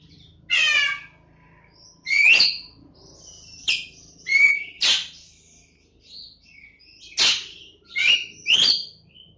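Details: Black-winged starling, recorded Friday 28 September 2018, said to mimic a cat's meow and give loud harsh rattles; separate bursts of raspy, buzzy and whistled notes every second or two, some sliding, with short quiet gaps between.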